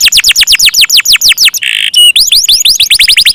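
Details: Canary in loud, busy gacor song: steady downward-sweeping notes about eight per second, interrupted by a harsh buzzy tone and a sharp whistle before the fast roll returns.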